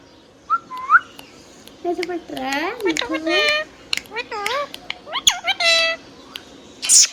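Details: Hand-tame pet green parrot chattering, a dense string of wavy harmonic speech-like syllables and squeaks punctuated by sharp clicks, with a brief high squeal at the end.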